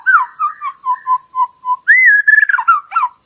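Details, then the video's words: White-rumped shama used as a lure to draw song from other birds: a clear whistled phrase of low repeated notes, then a louder rising-falling whistle and quick chattering notes. "Pancingan Murai Batu Agar Bunyi Ngeplong"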